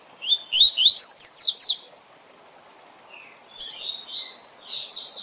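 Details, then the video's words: Tui Tui Zel Zel training song of a double-collared seedeater: slurred rising whistles and a rapid run of bright high notes, followed by softer, more jumbled twittering and buzzy phrases. "Tui Tui Zel Zel Canto Para Treinamento e Encarte de Coleiros e Papa capim!!!"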